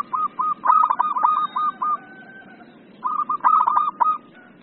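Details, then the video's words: Local zebra dove in full, vigorous song: two bursts of rapid stuttering, buzzy coo notes at a steady mid pitch, run together into short trilled phrases, with softer lower cooing between them. "PERKUTUT LOKAL GACOR"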